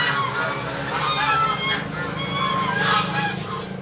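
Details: Geese calling for breakfast at a home; scattered nasal honks and a few clearer rising notes over a steady low rumble, the calls softer and less dense.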